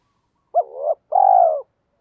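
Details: {'caption': 'Spotted dove kept as a decoy, giving its calling coo to draw in wild birds. One two-part phrase: a quick hooked note, then a sustained vibrating coo about half a second long, in silence.'}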